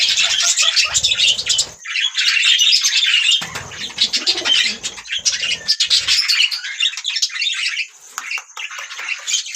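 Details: Budgerigars twitter in loud bursts of fast, scratchy chirps broken by brief lulls. Faint low murmurs sit beneath parts of the chatter.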